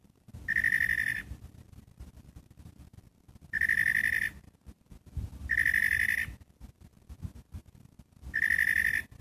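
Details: Catbird delivering four evenly pitched, buzzy pulsed notes, each about a second long, spaced roughly two seconds apart.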